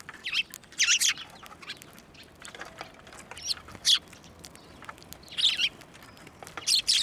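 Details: Sparrows at a Tenmangu shrine on 11 March 2024, coming onto a hand for food; scattered short chirp bursts separated by pauses, with faint rustling between them.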